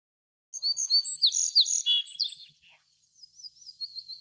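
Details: Little bunting (Emberiza pusilla) delivering a high, ringing phrase of about a dozen quick repeated notes with sharp down-slurred chirps, followed by a fainter trilled, wavering tail after a brief pause.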